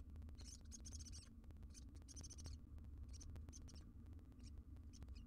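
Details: Wild barn owl recorded by a live camera in a monitored nest box, giving rasping, high hissy screeches, two longer bursts early then shorter ones, with constant low hum and faint ticking beneath.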